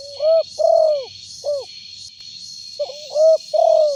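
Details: Loud spotted dove used for luring birds: two cooing phrases, each a short hoot, a long drawn-out coo and a brief closing note, the second phrase opening with a soft slurred lead-in, over a constant whine and rhythmic hiss.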